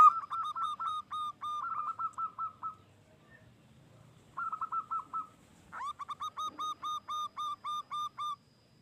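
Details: Local wild zebra dove from Indonesia, calling persistently, used by bird trappers as a lure: series of rapid staccato cooing notes at steady mid pitch, with a pause midway and a second, closer-sounding bird joining near the end.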